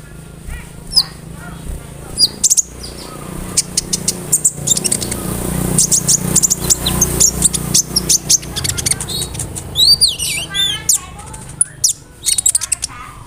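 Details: Konin bird with a full repertoire of mimicked cricket and bird calls, used to train other songbirds; a long stream of crowded high ticks and chirps over a steady low background hum, with twisting whistled notes near the end.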